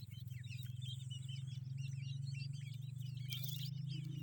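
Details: Grey francolin chicks in a family group, a dense chorus of high, thin peeping chirps overlapping continuously throughout, with a loud steady low mechanical hum underneath and a brief noisy burst near the end.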